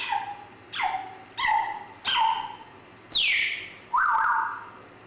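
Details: Grey parrot repeating short downward-sliding calls about every three-quarters of a second, then a loud descending squawk and a final rising-then-level whistled note.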